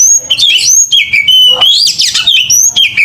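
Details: Oriental magpie-robin singing an aggressive fighting song: clear, piercing whistles gliding up and down, with scratchy buzzy notes tucked between them and a steady, unbroken flow.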